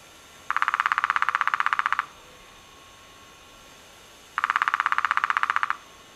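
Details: Hairy woodpecker at Willow Creek Provincial Park near Claresholm, Alberta, in May 2004: two rapid even bursts of drumming-like taps, each about a second and a half long, separated by a two-second pause.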